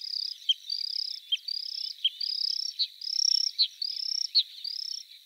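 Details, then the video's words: Bluethroat repeating drawn-out high whistles, each rising slightly and followed by a sharp falling click, about eight in a row over a steady background hum. "Варакушка (Luscinia svecica) - голос"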